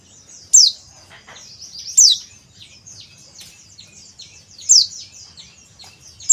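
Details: Male Oriental white-eye, Bali, giving sharp, thin, falling high whistles every one to three seconds over a constant soft, high twittering chatter.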